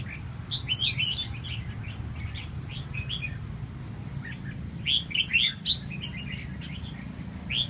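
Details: {'caption': 'Red-whiskered bulbul spreading its tail, producing a run of quick, bubbly whistled notes, then a louder cluster of sharp slurred whistles, over continuous low-pitched background noise.'}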